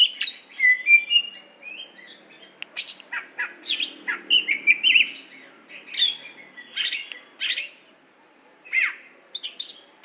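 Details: Song of a greater green leafbird from Aceh: continuous bright whistles mixed with sharp slurred chips and short trills, about four notes a second at first, then sparser phrases toward the end.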